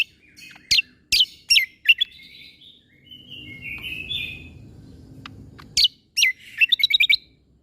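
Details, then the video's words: Cucak kombo leafbird 'tembakan' song used to tutor young shamas: a few loud, sharp whistled strokes, a soft wavering warble in the middle, then a fast closing flurry of crisp repeated notes. "MAsteran Cucak Kombo Ini Agar Punya Karakter Suara Tembakan"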